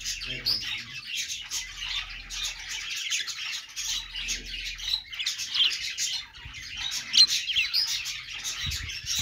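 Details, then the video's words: Australian parrot, the budgie, chirping happily: bursts of high, buzzy warbling chatter broken by short pauses, with sharp squeaky notes and occasional low knocks. "parakeet chirping sounds |Australian parrot singing | budgie sounds"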